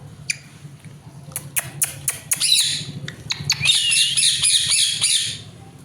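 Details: Green parrot kept as a pet letting out rapid harsh squawks and rough chattering bursts, growing into a dense noisy outburst midway before fading, over a faint low hum.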